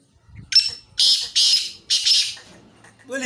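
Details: Black francolin calling: a series of loud, harsh, rasping bursts, three or four in quick succession, each about a third of a second long, with a person's voice starting at the end.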